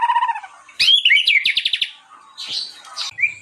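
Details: White-rumped shama singing, captured as training master: a low steady whistled note, then a loud sweeping phrase followed by a quick run of repeated clipped notes and softer trailing chirps.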